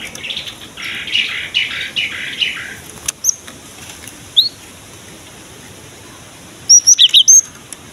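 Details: Cinereous tit song used to lure other birds: a softer buzzy twittering phrase at first, a few isolated rising whistles, then a fast burst of five sharp high notes near the end.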